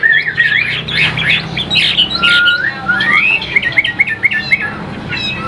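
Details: A caged Chinese hwamei pours out varied whistled notes: jumbled rising and falling phrases, one long clear rising whistle in the middle, then quick chattering runs, with a low hum in the background.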